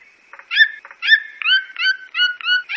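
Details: Red-billed toucan from Brazil. Harsh, nasal yelps follow each other in quick succession, roughly every third of a second. Each yelp is a slightly falling, harmonic note, with a few soft clicks early on.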